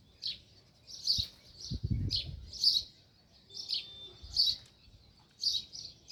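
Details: Sparrow chirping near its nest in the village: short bright chirps repeated in loose pairs roughly every second, with a few low thumps and rustles underneath.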